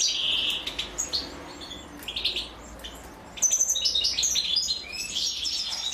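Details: Female European goldfinch feeding her chicks; faint high chirps early, then a louder burst of shrill stacked begging notes from about halfway through.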